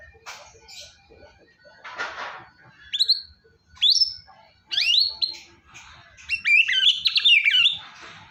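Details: White-rumped shama singing vigorously, used to spur a quiet shama into song: scattered clear whistles sweeping up and down, with short bright phrases and brief pauses between them.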